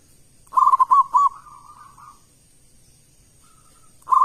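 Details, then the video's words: A local zebra dove singing strongly as a lure to set other doves off. One phrase of quick staccato coos stretches into a long, wavering, fading trill, and the next phrase starts just at the end; faint high whine throughout. "Perkutut lokal gacor suara keras besar - pancingan burung perkutut"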